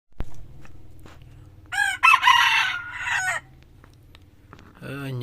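A red junglefowl gives one loud, hoarse crow of about a second and a half, rising then trailing off; another call starts at the end over a low background hum.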